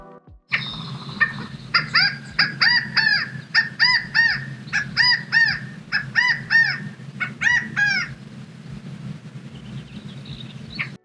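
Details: A California Quail in California calls a loud three-note chi-CA-go again and again in quick series, the middle note highest, over a low steady hum. Such calls keep the flock together and warn of predators.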